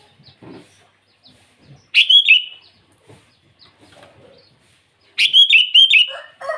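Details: Sooty-headed bulbul singing in the morning, calling rivals; two loud bubbly phrases of quick warbled notes with downward twists, the second about three seconds after the first, with faint soft chirps between.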